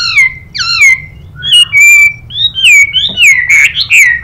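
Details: Chinese hwamei, with a female calling nearby, in a duelling song. Smooth downslurred whistles and level held notes give way to a quicker, warbling finish.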